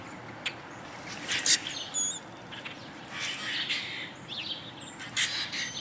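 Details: A male Common Grackle sings to attract a mate: short, harsh creaking bursts with thin, rusty squeals, repeated every second or so, over a faint background hiss.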